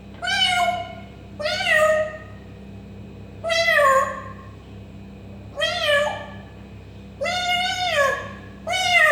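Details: Convincing cat-like meows produced by an African grey parrot, six rich nasal calls about every one and a half seconds, each dipping then falling at the end; faint background hum.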